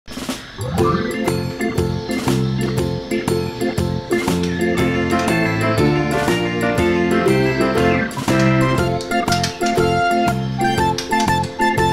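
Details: Bright, tonal music with a steady beat and chiming notes throughout, with no animal voice to be picked out.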